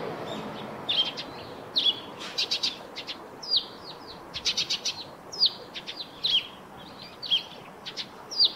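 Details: Eurasian tree sparrow chirping steadily beside its roof nest, a busy run of sharp, high chirps and quick rattled notes, close together for over eight seconds.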